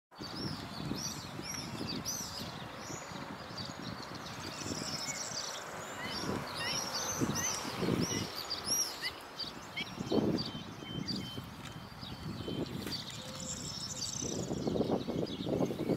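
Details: At dusk, a Western Bonelli's warbler sings high, quick chirping phrases among other birds over a low wind rumble.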